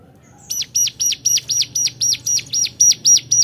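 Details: Hill prinia calling to challenge rivals: after a brief quiet start, a rapid even string of about twelve sharp, bright chirps delivered around four per second, with a faint low hum behind.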